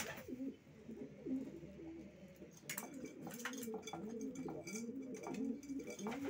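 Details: Racing pigeons cooing, low rolling coos repeated throughout, with knocks and scuffling sounds from the loft in the middle.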